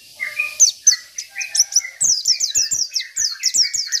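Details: Oriental white-eye, local 'isian' bird: soft low whistles and a few high chips build into a dense, continuous run of fast, shrill descending notes.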